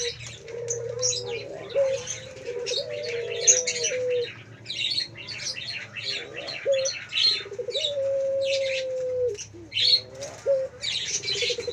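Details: Several low coos from a male Pelung Barbary dove in full song, a wavering note followed by a long level hoot, then short clipped notes, with many small birds chirping loudly throughout.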